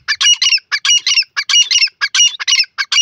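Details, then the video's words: Grey francolin, called dakhni teetar, giving loud harsh squawking notes in tight clusters of two or three, the bursts repeating about every half second in a fast, urgent rhythm, with a clean, quiet background. "dakhni teetar awaz"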